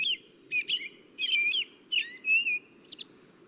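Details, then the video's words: An American Robin sings clear, whistled caroling phrases that rise and fall, each note distinct, at a slow, steady pace without exact repetition, over a low background hum; a song often considered a sign of the beginning of spring. "so that's maybe a song that some of you are familiar with uh often considered the beginning of Spring when you hear the robin singing"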